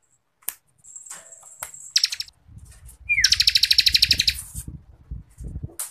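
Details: Bar-winged Prinia trill for contest masteran: a high thin note and brief rattle, then a downslurred lead-in into a fast pulsed trill, with low rumbling background noise.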